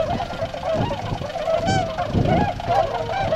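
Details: A flock of Tundra swans at a Gotenda pond in Azumino, Nagano Prefecture, Japan, 22 February 2013, setting off to feed in rice fields; loud bugling honks from many birds overlap closely, with one sharper rising call standing out.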